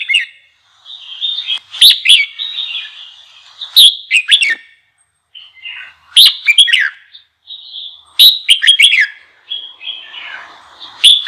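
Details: Red-whiskered bulbul delivering lively song to stimulate rival bulbuls: repeated bursts of loud, sharp whistled notes alternate with warbled, fluty phrases over about eleven seconds.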